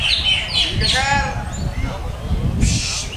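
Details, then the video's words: Greater green leafbird giving a varied song of quick chirps, a rich rasping phrase and a high buzzy burst, drawing attention at a bird event, over low rumble and background voices. "Lagu Mewah Cucak Hijau"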